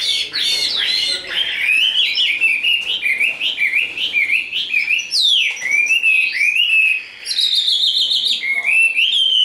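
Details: Tame, large-bodied caged Chinese hwamei singing in the đấu xòe fighting display: loud, rich whistled phrases sliding up and down, fast rippling trills and sharp rising notes, with brief pauses between bursts.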